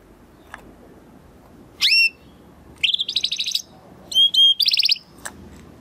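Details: Timbrado Español canary, a male born sixth in the 2020 breeding, singing a training song: scattered bursts of whistled notes and fast buzzy trills with pauses between phrases, and a clicking sound at the start and end.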